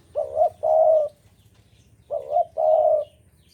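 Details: Breeding-mood spotted dove from Java, a frequent singer, repeats its soft, hollow phrase twice. A brief warbling coo is followed by a drawn-out even coo, with a quiet pause between the phrases.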